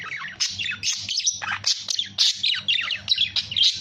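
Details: Budgerigar pouring out dense, scratchy warbling chatter, quick chirps and squeaky notes tumbling together with hardly a gap; low hum in the background.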